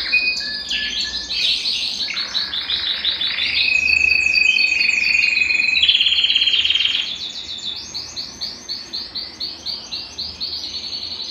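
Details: Belgian canary in continuous song, offered to spur a cold canary into singing: varied rapid trills, a long buzzy sustained trill in the middle, then evenly spaced pulsing notes repeated several times a second.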